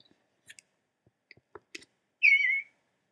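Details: An Eastern Bluebird in Nashua, New Hampshire gives one soft, warbled phrase, slightly falling and under half a second long, after a few faint clicks and taps.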